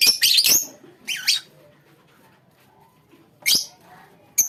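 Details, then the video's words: Lovebirds in a colony: a cluster of harsh shrill chirps, then a wavering squeaky call, a pause, and two more piercing notes. "lovebirds colony"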